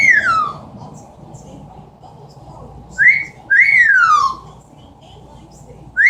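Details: Amazon parrot at home mimicking noises: a long whistle descending steadily like a falling bomb, then a short rising note and another long downward glide, spaced by quiet stretches with low hum.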